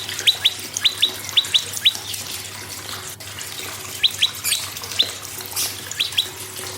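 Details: Prinia song intended to encourage other birds to sing; clipped rising notes come in pairs during the first two seconds, then sporadic doublets later amid rushing water-like noise.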